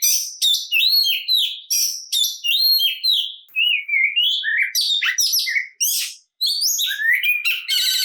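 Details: Oriental magpie-robin (kacer) in full aggressive fighting song meant to provoke other birds: rich, varied whistles, harsh chattering bursts and rising and falling slurred notes packed densely, with one short pause near the end.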